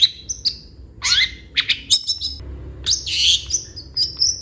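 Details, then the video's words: Long-tailed shrike (cendet) in full varied song: high squeaky chirps, short whistles and harsh buzzy notes changing quickly, over a faint low hum. "CENDET GACOR FULL ISIAN"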